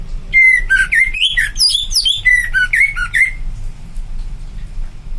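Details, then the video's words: Greater green leafbird singing a rich, rapid phrase of clear whistled notes that slur up and down and mix with sharp chirps and mimicked-sounding flourishes for about three seconds, then stops, leaving a faint low hum. "Cucak ijo anda pasti ikut terpancing dengar kicauannya"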